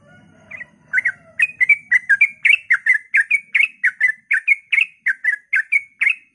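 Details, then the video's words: Sooty-headed bulbul in ropel (rapid, continuous) style at dawn, used to provoke other bulbuls into singing: after a faint low rumble, a rapid chain of short bubbly two-part notes begins about a second in and runs evenly to the end. "suara trucukan ropel pagi subuh AMPUH memancing trucuk agar ikut gacor"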